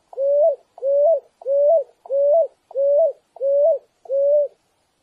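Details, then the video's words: Seven evenly spaced coos from a picui ground dove, each short, low and slightly upslurred with a small lift at the end, repeated steadily about every 0.65 seconds in a clean recording. "Som limpo do canto🎵 da Rolinha Picuí"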